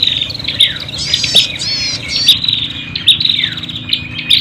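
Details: Prinias in a noisy, fighting mood, used to lure birds: loud sharp chips repeated about once a second over a continuous high trill, with buzzy rattles and short downward squeaks between.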